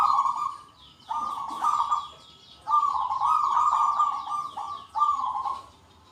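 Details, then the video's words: Many local zebra doves answering one another with big 'kung' voices. Overlapping trilled coos run nearly continuously, with sweeping high chirps from other birds. "PERKUTUT LOKAL GACOR SUARA KUNG BESAR RAMAI BERSAUTAN"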